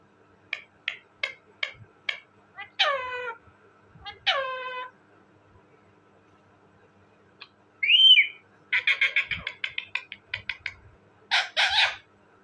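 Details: Talking parrot: varied vocal sequence of short clicks and chatter, two falling nasal squawks, one looping whistled note, then fast buzzy trills and rasping bursts.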